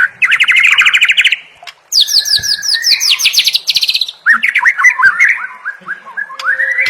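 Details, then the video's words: White-rumped shama song in a full, phrase-packed training style meant to make other birds sing boldly: loud rapid trills, a high quickly descending run of sharp notes, then a series of looping slurred whistles, with brief pauses between passages. "Masteran Murai Batu Full Isian – Bikin Burung Gacor, Fighter, dan Mental Juara"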